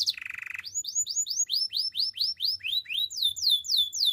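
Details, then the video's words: Canary song for training: a short low buzzing roll, then a long sequence of bright downslurred whistled notes repeated at an even pace, with higher notes layered above. "Active canary singing makes your canary sound"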